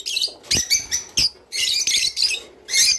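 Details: Java sparrow singing, used to stimulate mating: quick bursts of high, bright chirps about once a second, mixed with sharp clicks, in an uneven rhythm.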